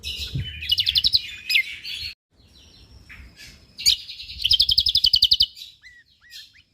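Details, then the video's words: Energetic Lombok white-eye song, delivered as fast, tightly packed bursts: bright buzzy twittering, then rapid machine-gun runs of repeated high notes, a short pause, and a couple of soft rising whistled chips at the end. "Cucak Kombok Juara / Kecial Kombok Gacor Full Tembakan rapat"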